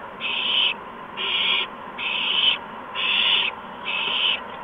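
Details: Young owls at the nest just after 8 PM on March 13, 2015, during quick food drops by the parents. Even, raspy hisses of about half a second come at a steady pace, five in a row with brief pauses.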